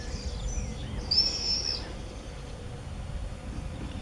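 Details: A common swift 'banger' at the entrance of an observation nest box in a house in Beek-Ubbergen, Netherlands, on 8 June 2014 gives one shrill, high scream of about half a second, followed by quiet background noise.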